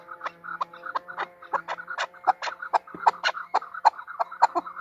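A female chukar gives harsh, clucking chuk notes, two or three a second, over a faint steady background hum.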